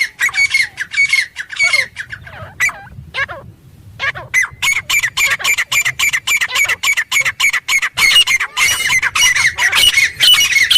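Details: Wild desert teetar (francolin) in a desert area, giving a long series of harsh, squawky, high notes repeated almost twice a second. The series grows denser and louder after a brief pause, with no other clear sounds.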